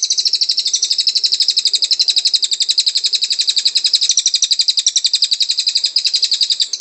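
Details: Caged greater green leafbird in a song-tutoring recording pours out a loud, unbroken stream of high, rapid chattering notes, about four a second, with no pause and no other sounds.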